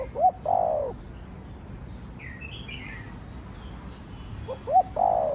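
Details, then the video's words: Spotted dove in the Vietnamese 'thổ đồng' singing style: a short stuttered intro and a drawn-out descending coo, repeated after about four seconds of quiet, with brief higher twittering from other birds in between. "Cu gáy giọng Thổ Đồng Thúc, Gù kích bổi nhanh nổi/ tiếng chim cu gáy giọng thổ đồng gáy, cu đất gáy"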